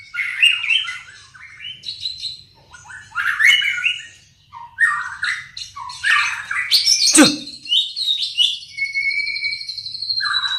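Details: White-rumped shama working out its song, with varied warbles, rasping notes and a loud snap, followed by long whistled high tones.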